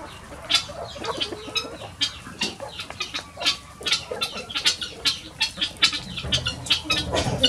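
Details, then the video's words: Flock of chickens pouring out of the coop in the morning to free range; a steady stream of short, sharp, high clucks and chirps from many birds at once, dense and irregular. "Chicken morning rush"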